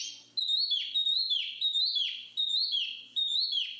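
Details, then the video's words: Black-capped babbler giving a clear whistled song: a high, steady note ending in a falling slur, repeated about every three-quarters of a second against an otherwise quiet background. "BURUNG JONGKANGAN/Black-capped Babble"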